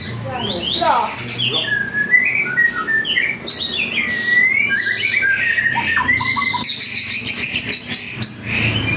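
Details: White-rumped shama of the panda variety in full, energetic song. Rapid, varied whistles, slurred notes and harsh bursts follow one another without pause, some sliding steeply in pitch.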